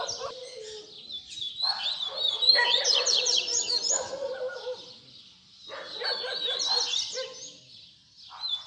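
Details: Baderna-style song of a double-collared seedeater, fibra singing used as a lesson for young birds; two lengthy jumbled phrases of quick high slurs layered over harsh buzzy notes, with a brief gap between them.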